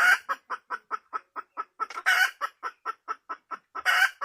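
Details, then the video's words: Wild red junglefowl hen giving a steady series of short, even clucks about four per second, broken by louder, harsher squawking notes near the middle and at the end. "suab poj qaib qus"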